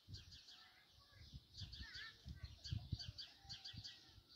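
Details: House sparrows chirp busily in the morning in a street, with several birds' short, bright cheeps overlapping. Low thumps and rumbling noise run underneath.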